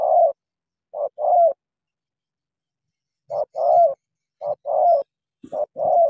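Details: Decoy spotted dove from Cà Mau cooing in short-long pairs, a quick soft note then a longer burred coo, with a pause of nearly two seconds mid-sequence before the pairs resume; faint background otherwise quiet.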